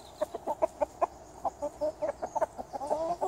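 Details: Chickens in a garden cluck busily: a dense, fast series of short clucks, some stretched into slightly longer, wavering notes toward the end. Background is calm.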